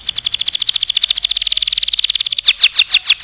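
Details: A canary sings a master song for other birds to learn: a rapid string of high, evenly repeated chirps, slowing near the end into a few louder, spaced notes.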